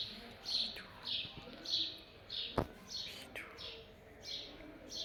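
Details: Rose-ringed parakeet (ringneck), a pet pair described as talking; soft, high, downward-sliding chirps repeated roughly every half second, with one sharp knock partway through and a quiet background.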